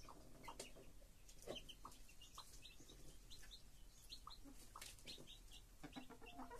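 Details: Chicks with their mother hen: scattered high peeps and a few low clucks, fairly quiet, over a noisy background.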